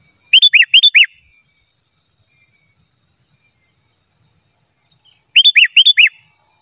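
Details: Unedited sooty-headed bulbul lure song for trapping: two phrases about five seconds apart, each a run of four bright, falling whistled notes.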